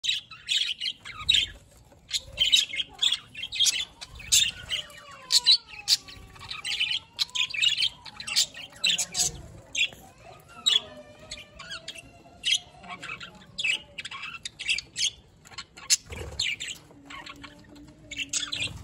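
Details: Budgerigars eating green food chatter in rapid, scratchy chirps and squeaks, high-pitched and nearly continuous.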